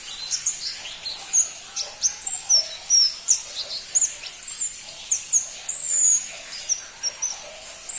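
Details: Pentis pelangi, the crimson-breasted flowerpecker, sings a steady series of piercing high chirps and brief downslurred whistles spaced under a second apart, with soft low hiss behind.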